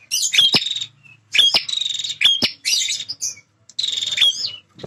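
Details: Territorial male bar-winged prinia in full song: dense, scratchy buzzing bursts, each opened by a thin whistled note and a sharp click, delivered in rapid succession with barely any gap.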